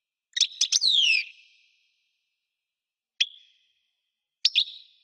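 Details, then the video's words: European goldfinch: clipped chirps leading into a descending buzzy whistle, followed by two short, isolated bright call notes spaced over several seconds. "chant de chardonneret"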